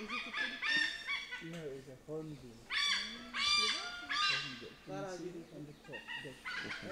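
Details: Indian pied hornbill in the forest of Bandhavgarh National Park, central India: loud, harsh, cackling calls in bursts of stacked notes, some rising then falling, with a man speaking Hindi in between.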